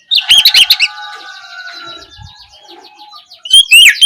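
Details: Oriental magpie-robin in loud ngeplong-style evening song used as a lure to prompt another bird to answer: a rapid burst of bright whistled notes with harsh edges, a quieter lingering stretch, then another loud rising-falling phrase.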